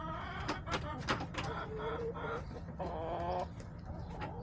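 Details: Backyard hens on March 30, 2024, clucking busily: short, repeated, chattering notes, then a longer, tonal, wavering call near the end, with scratching and low background rumble.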